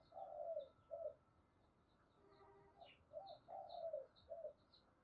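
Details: Distant spotted dove coos used to provoke a decoy bird: paired falling hoots, a pause, then another run of hoots, over steady hiss with faint high chirps of other birds.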